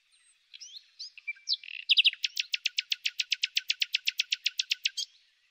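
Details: A common nightingale, singing in spring, opens with a few varied whistles and chirps, then breaks into a fast, loud run of about twenty identical sharp notes. The background is quiet.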